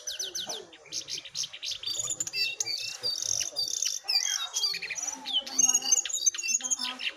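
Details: Singing contest of wild versus caged jongkangan on simple recording equipment; opens with a fast run of descending notes, then steady jumbled chirps, buzzy trills and slurred whistles.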